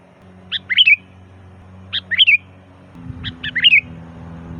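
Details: Sooty-headed bulbul song used to lure bulbuls: three short chirping phrases, each a few quick notes ending in a warble, over a steady low hum.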